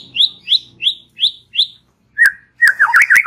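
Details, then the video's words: White-rumped shama in relaxed chattering song: five quick rising whistled notes evenly spaced, a pause, then a burst of sharp clicks and rich warbled phrases. "Ocehan SANTAI Murai Batu"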